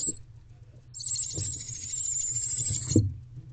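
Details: Barn owl owlets in nest box C on 29 April 2023 at 7:33 pm, trying to crawl under their mother. A harsh, steady, high hissing screech lasts about two seconds, with soft thumps and scuffling in the box.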